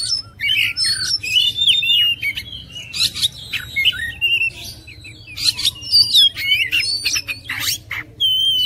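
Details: Oriental magpie-robin singing a rich, fast string of varied whistles, slurred notes and sharp chirps in short bursts with brief pauses; a faint low hum underneath.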